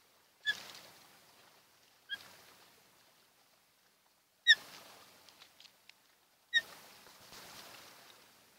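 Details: Osprey calling at a nest on Kent Island, Maryland, early morning of 28 June 2018: four sharp, clipped whistled chirps spaced one to two seconds apart, each followed by a burst of rustling or wind noise.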